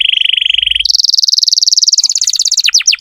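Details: Canary singing with full vigour as a lure for tutoring young birds: a fast mid-pitched rolling trill jumps to a higher rapid trill, ending in a few slow, sharply falling swept notes.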